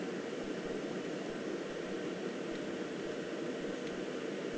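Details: Even hiss and hum like machinery or wind fills the recording, with no animal voice.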